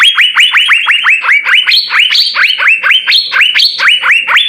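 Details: Blue-winged leafbird's jamtrok song with ngekek bursts, used as a tutor song: continuous rapid chain of loud, ringing upward-sweeping notes with occasional higher flat notes layered in, steady throughout.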